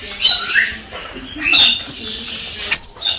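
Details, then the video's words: Male Galah courting a female to encourage mating: three loud, high, grating squawks roughly a second apart, each a short rasping burst, over quiet room noise. "Tweeting Cockatoo Gala parrot stimulates the female"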